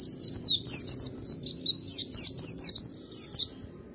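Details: White-eye (Zosterops) singing: a rapid, high-pitched twittering warble of thin, jumbled notes running for about three and a half seconds, with quiet low background noise.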